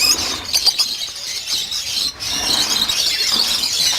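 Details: A dense chorus of lovebirds at an 800-pair breeding farm fills the air with shrill, overlapping squeaks and chattering, with no pause between calls.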